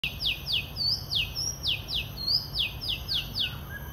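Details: An Oriental magpie-robin at Eco Lake, Singapore Botanic Gardens, sings a quick series of clear, down-slurred whistles, three to four per second, with a few higher rising notes over a low distant rumble.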